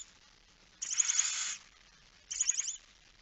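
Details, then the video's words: Barn owl nest in Friesland, Netherlands, night feeding on 10 September 2019; two quieter, slightly crackling hisses, the first longer than the second. "Kerkuil It Fryske Gea 2019 09 10 22 45 voedering"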